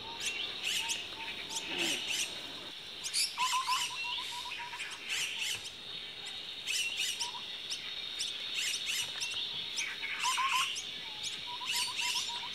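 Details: Common myna at a nest with young: harsh, scratchy chirps in uneven bursts, mixed with quick series of lower clucking notes, several birds calling at once.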